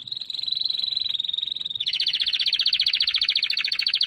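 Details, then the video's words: Singing canary: a high, steady trill around one pitch for nearly two seconds, then a denser, broader rapid rattle of fast repeated notes to the end, with no other sounds. "chant canaris تغريد الكناري singing canary"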